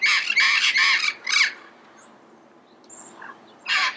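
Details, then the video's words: Harsh, grating red-crowned amazon calls in early-morning Pasadena. Three quick squawks run together, then a fourth follows, a lull with faint thin chirps comes next, and one final raspy squawk closes the recording. "Red-crowned Amazon Bird Sound, Bird Song, Bird Call"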